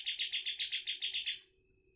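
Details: Rapid trill from a wild-caught greater green leafbird, praised as 'gacor': about eight even, piercing high notes repeated in quick succession over roughly one and a half seconds, then stopping abruptly, with faint hum behind.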